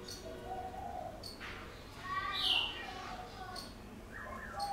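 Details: White-cheeked laughingthrush giving a wild-type song, a varied run of mellow low whistles, then higher bright notes and chattering phrases, with sharp ticking clicks scattered throughout.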